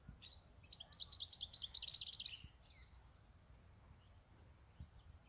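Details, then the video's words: European goldfinch kept for eight years, singing a brief burst of bright, tinkling twittered notes for about one and a half seconds, high-pitched and rapid, with a few soft chirps before and after in a quiet room. "Jilguero tego 8 añitos ya konmigo"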